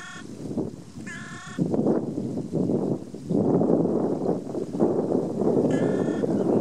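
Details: A hooded crow at the Caldara di Manziana near Rome gives two strange, drawn-out, nasal, strained caws about four and a half seconds apart, over steady rough rushing noise; whether calls or threats is unclear.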